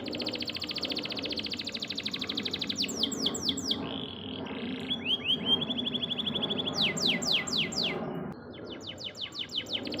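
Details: Tutor song of a canary for training caged songbirds: a fast buzzy roll gives way to bursts of sweeping high notes, short flat whistles and rattling trills, with continuous low background noise.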